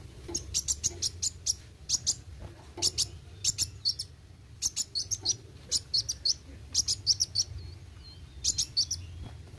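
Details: Sunbird (kolibri wuling) in vigorous 'roll tembak' song: a long sequence of very high, piercing chirps grouped in quick clusters of two to five, nearly continuous across the stretch, over a soft low hum.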